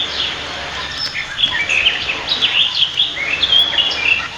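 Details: Backyard nest of a Pied fantail, known locally as maria capra, in Prenza, Marilao, Bulacan, Philippines. Scattered short, squeaky chips and brief twitters come in irregular quick bursts over a soft background hiss.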